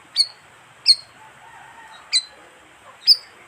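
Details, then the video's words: Lure call of the bayeman, a colonial bird: four bright, clipped high chirps spaced about a second apart, each a fast drop in pitch, over faint background hiss. "suara pikat burung bayeman"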